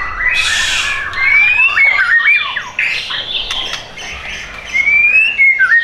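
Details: White-rumped shama kept at a bird shop in Tangerang Selatan, Indonesia, offered for sale: a harsh squawk opens, then clear whistled phrases sliding up and down with quick buzzy notes in between.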